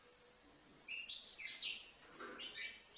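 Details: A five-month-old young European goldfinch in Livno sings a quick, tinkling twitter of high, liquid notes and buzzy trills, running almost continuously after a quiet first second.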